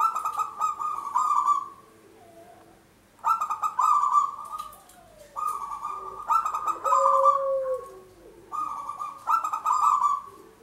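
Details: Local zebra dove, a prolific singer whose voice is used as a lure for trapping, gives four rolling, pulsed cooing phrases of mid pitch, each lasting about two seconds and separated by short pauses, with a faint lower tone between them.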